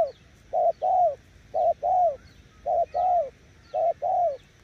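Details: Spotted dove decoy bird in a run of paired coos, a quick short note then a fuller arched coo. The pairs recur roughly every second, with faint high chirps behind.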